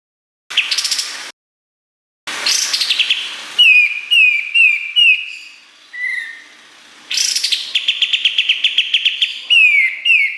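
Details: Kapas tembak in energetic song with sharp fills, recorded to train competition songbirds; harsh rising bursts, a string of clear downslurred whistles, a quiet low whistle, then fast repeated chips and more whistles.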